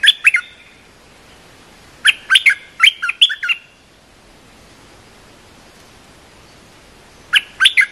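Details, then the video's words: Cream-vented bulbul song for training young birds: clusters of fast, bubbling chirped notes in bursts, with a pause of several seconds between groups. "เสียงนกดอกแตงEp.173 เพลงหัดลูกเสอ/ลูกใบ้ เพลงสั้นๆน่าฟัง"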